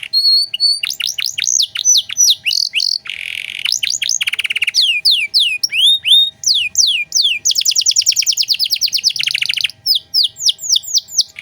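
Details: Canary singing nonstop in luxurious 'cengkok mewah' phrasing, used for training other songbirds. Fast downward-swept notes alternate with buzzy rattles and tight rapid trills over eleven seconds.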